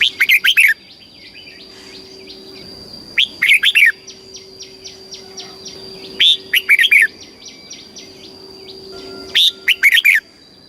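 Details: Thai caged red-whiskered bulbul giving southern master-style song meant to rouse birds and teach young birds: four crisp, fluty phrases of several quick notes about every three seconds, with a fast, even series of high ticking clicks between phrases and a steady hum.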